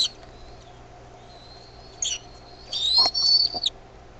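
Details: Bald eaglet begging as the mother brings food to the nest; a long thin high whistle slowly rising, then louder squealing notes run together near the end, with a faint steady hum beneath.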